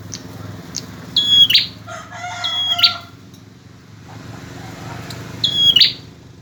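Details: Male bar-winged prinia in persistent song, used as a tutor recording for other birds: high whistled phrases with buzzy endings, broken midway by a lower harmonic chattering call.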